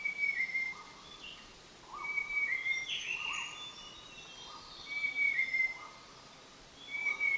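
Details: At Doi Lang, Pha Hom Pok National Park, Chiang Mai, Thailand, a Large Niltava gives clear, high whistled notes about every two seconds. Other birds' softer whistles and chips sound in the background.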